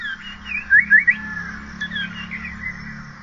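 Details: Asian paradise flycatcher, said to be heard calling in mating season, giving three quick, rising whistled notes in about half a second, then softer chirps over a steady low hum.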